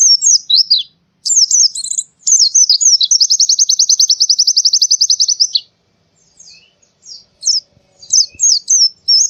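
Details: Forest-style song of a white-eye, Central Java, Indonesia. Opening twitters lead into a long, even, rapid trill lasting about three seconds. After a pause come scattered high chirps and renewed twittering.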